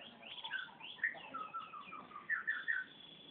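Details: Canary song fragment: short whistled chirps and slurred notes in an uneven run, with a cluster of three bright, quick notes toward the end.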